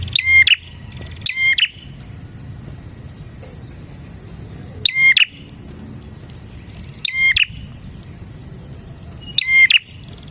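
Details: Lively bar-winged prinia song for tutoring and luring prinias: five ringing, harmonic two-note chirps at uneven gaps of one to three seconds, over a steady thin high-pitched insect hum.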